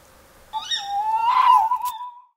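A tawny owl gives one drawn-out, hoarse, slightly wavering note lasting under two seconds, rising a little then levelling and fading, against a quiet background.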